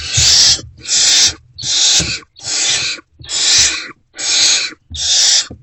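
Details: Nest-box barn owls at night, 28 February 2024, as food keeps being delivered; seven rasping, hiss-like screeches follow one another at a steady pace of about one per second, with soft knocking underneath.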